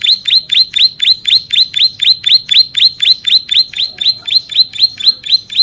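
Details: Bar-winged prinia in long, vigorous song for training and luring other birds: loud, high, rising notes delivered in a fast, even series of about four per second, with little else heard.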